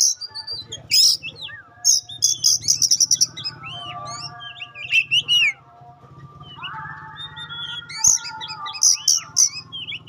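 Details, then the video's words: Pastol-type Oriental magpie-robin singing: very high rapid trilled bursts alternate with rising and falling whistles and a drawn-out note, over a faint low hum. "Tes Kacer Anda dengan Kacer Pastol Ini. Semakin lama makin Panas"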